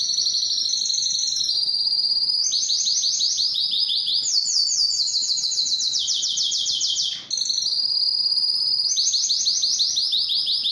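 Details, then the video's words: Canary song, clean recording intended to teach fledglings and spur males to sing: continuous fast trills stepping between pitches, a rising run mid-phrase, one momentary dip before the rolls resume to the end. "صوت كناري مميز للتسميع"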